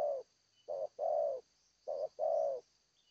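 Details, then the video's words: A spotted dove sings in the Seladang Jati style. Mellow, low coos come in paired phrases of a short note followed by a longer, slightly falling one, repeated twice. A constant faint high-pitched hum sits behind them. "Terkukur- Seladang Jati suara pehhh mantap"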